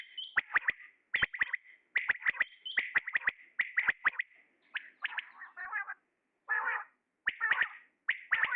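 A male common quail gives quick, liquid three-note 'wet-my-lips' phrases, repeated roughly once a second, with a few harsher buzzy notes mixed in.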